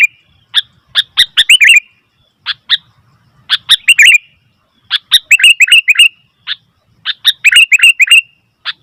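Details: Sooty-headed bulbul giving noisy, busy calls: bursts of short chirpy notes in clusters with brief pauses, some notes bright and bubbly, with a few high sharp ticks over them.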